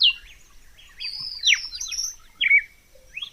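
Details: Clean, unedited recording of a red-cowled cardinal song: a few clear whistled notes swooping up and down, one ending in a bright sustained whistle, over faint high chirping from other birds.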